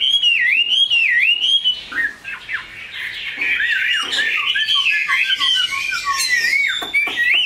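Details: Captive Chinese hwamei, a large purebred singer, opens with bold swooping whistles, then mixes in fast chattering notes and a string of short low pips before whistling again.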